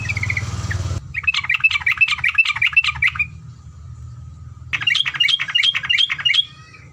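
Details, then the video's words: Yellow-vented bulbul song used as a tutor recording: rapid bubbling chattering phrases of repeated short notes, a burst of about two seconds, a pause, then another similar burst, with a low hum underneath. "MASTERAN TEROCOK, GAMPANG BUNYI..ROPELAN PANJANG"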